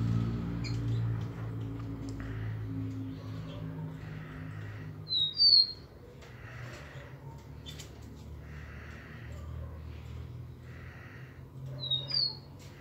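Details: Rufous-collared sparrow singing: two short high whistled phrases, each a pair of slurred notes, spaced about seven seconds apart, over a steady low hum and some faint broadband sounds.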